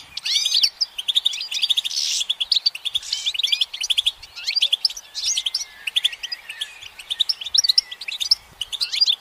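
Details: Perched goldfinch in sunshine pours out a lively song: quick tinkling chirps, upward-swept whistles and buzzy bursts in phrases separated by short gaps.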